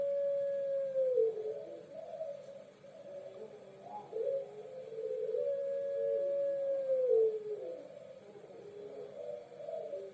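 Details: A Barbary dove (Puter Pelung type) gives long, drawn-out, hollow coos over a faint background hum. Each coo is held a second or more and wavers at the end. These long calls are meant to prompt other doves to call.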